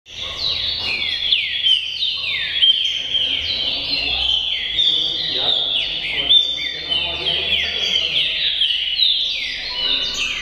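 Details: Green-winged saltator of the "tricolor" type singing loud, rich whistled phrases that slur downward, repeated almost without pause; other similar songs seem to overlap throughout.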